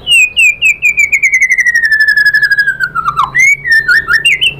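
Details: White-rumped shama singing as a lure to provoke replies: a long rapid series of whistled notes sliding slowly downward for about three seconds, followed by brief varied whistled phrases.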